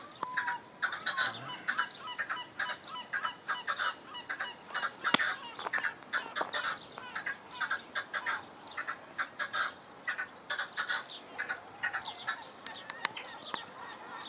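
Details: A long, dense goldfinch song of quick twittering, liquid notes and trills run together almost without pause, with a short pure whistle near the start.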